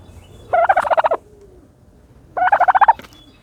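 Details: Turkey calling while bathing in dirt: two rapid rattling gobbles, each about half a second of fast pulsed notes, separated by a quiet gap.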